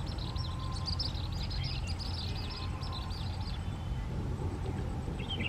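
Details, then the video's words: Asian palm swifts vocalizing during courtship and mating around palm fronds where they nest, many birds flying in: dense high, thin twittering chirps and short trills in the first three seconds over constant low rumbling background noise. "Asian palm swifts courtship"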